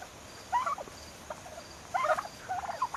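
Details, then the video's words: Growing turkeys almost six months old giving short yelping calls: two main bursts of quavering, wavering notes about a second and a half apart, plus a few softer clucks, over faint background hiss. "Baby turkeys making turkey sounds!"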